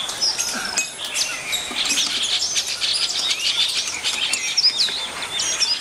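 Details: Chestnut-tailed starlings of subspecies Sturnia malabarica nemoricola, from China, chatter continuously with squeaky chirps and short, thin whistles that rise and fall, several birds calling over one another.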